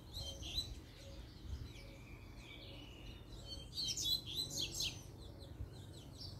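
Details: Double-collared seedeater singing and calling rivals to fight: scattered high chirps, then a dense rapid burst of sharp whistled notes near the middle, over a low hum and a faint regularly repeated beep.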